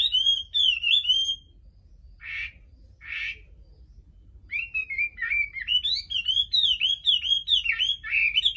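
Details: Chinese hwamei song for prompting a bird to sing without a female: a warbled whistled phrase, two short harsh rasping bursts, then a long run of rich, varied, slurred whistles rising and falling quickly.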